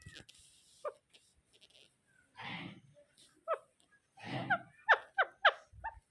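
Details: Rose-ringed parakeet, faint at first amid soft hissing noise, then a quick burst of four sharp, downward-bending calls near the end.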